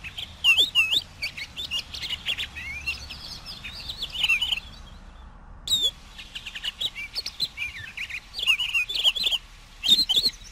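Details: Twittering pine grosbeak song from the northern conifer forests: busy warbled chatter of quick chirps and slurred whistles, broken by a short silent gap midway.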